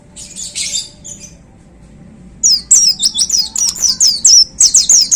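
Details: White-eye singing from its cage on the hanging hook: a soft buzzy chatter, a brief pause, then a fast 'tembakan' shooting run of shrill, descending whistled notes, about three or four each second.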